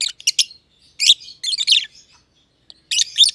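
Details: Two masked lovebirds in an aviary, a green and a green pied personata, one under a year old, chatter in short bursts of harsh, high, squeaky chirps, separated by brief pauses.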